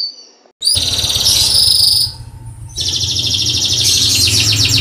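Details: Domestic canary singing, a loud high trilling song with dense rapid rolled phrases and a brief pause midway, over a low steady hum.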